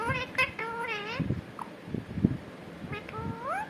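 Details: Talking pet parrot, said to be saying the word "katore": harmonic, nasal, wavering syllables that rise and fall, in short bursts across the clip, ending in a long upward-sliding note, with low thumps and room noise underneath.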